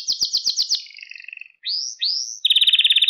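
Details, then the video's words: Canary song meant to teach young canaries to sing, with quick repeated descending chirps, a soft rolling trill, two rising slurred whistles and a loud rapid rattling trill at the end. "Süper Kanarya Sesi | Orjinal Kanarya Sesi İle Kuşunuzun Ötüş Eğitimi"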